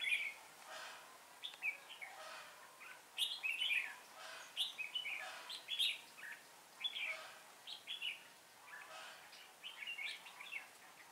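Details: Red-whiskered bulbul used as a trapping decoy, recorded 19 January 2018, sings lively bursts of chirping, warbled phrases in quick succession, loud and repeated throughout, with steady outdoor noise behind.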